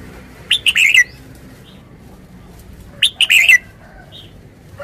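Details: Caged red-whiskered bulbul sings two matching quick chirpy phrases three seconds apart, each a bright burst of rising and falling notes, in a quiet setting.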